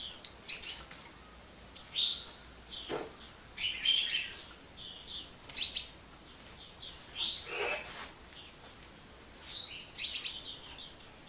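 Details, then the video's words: Hummingbird singing on and on without pause: rapid high-pitched chirps, twitters and short trills in uneven bursts, with a few lower descending notes mixed in and brief quiet gaps between phrases. "Kicau Burung Kolibri Ngocehnya Ngedyan Ra Leren Leren"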